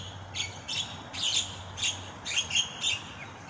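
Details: Wild starlings, many nesting here in coconut trees and even low sites, give series of short, harsh, scratchy high chirps in bursts about every half second, chattering over a low background hum.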